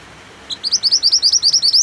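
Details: White-eye (mantenan) singing, recording mixed with rain sounds for training other cage birds: a fast, even run of about thirteen bright, high, upslurred chirps, each with a sharp hooked tail, after one opening note.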